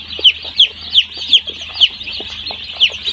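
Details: A one-day-old chick on a poultry farm gives loud, shrill, downslurred peeps about three per second, backed by a soft chorus of many other chicks peeping.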